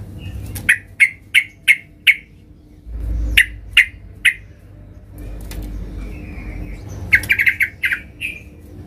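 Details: Sooty-headed bulbul, a loud gacor bird singing to challenge rivals: bursts of sharp, clipped notes repeated in quick series, with a short warbled phrase between them and low background hum.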